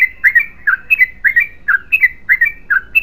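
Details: Trucukan, or yellow-vented bulbul, singing short paired bubbly notes that dip then flick upward, repeated about every half second in an even chattering sequence.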